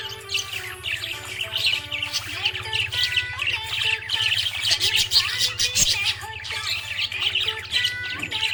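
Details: Happy budgie chirping: a long, unbroken stream of high, buzzy warbles and quick twitters over held musical tones and a rhythmic low hum.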